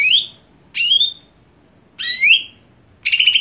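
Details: Greater green leafbird gives three upward-sweeping, slurred whistled phrases spaced about a second apart, ending with a buzzy trill.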